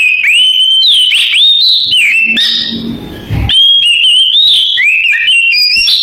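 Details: Oriental magpie-robin singing a canary-imitating song: rapid high whistled phrases with trills and quick pitch jumps, broken near the middle by a second of harsh broadband rustling noise before the whistling resumes.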